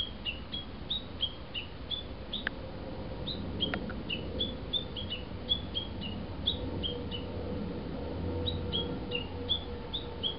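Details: In a neglected garden in Miyamae Ward, Kawasaki, Japan, a Japanese bush warbler that comes every year repeats quick, high, clipped notes in rapid runs with short gaps, against a constant low rumble and hiss.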